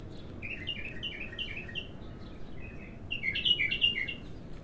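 A bulbul sings quick runs of bubbly, chirping notes, pausing briefly before a louder, richer burst, over a low background rumble.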